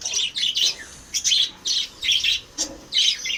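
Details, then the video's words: Captive lovebirds kept as pets chatter in short, sharp high-pitched chirp bursts, roughly six quick clusters of squeaky notes with small pauses, indoors with nothing else heard. "Love Birds"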